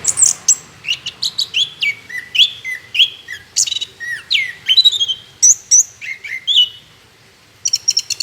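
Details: Orange-headed thrush singing as a lure for other birds: a busy series of varied whistles, downslurred notes and high sharp chirps, pausing briefly near the end before resuming; faint low background hum.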